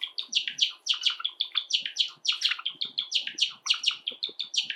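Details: Indoor household flock of seven Java sparrows. A bird sings steadily, with a continuous string of bright, clipped notes repeated in quick succession, rising and falling slightly, loud and close.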